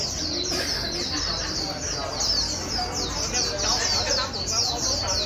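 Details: A white-eye sings a fast, continuous stream of high, thin twittering notes, many per second, used to stimulate a wild-caught white-eye into fast singing, with a faint background murmur underneath.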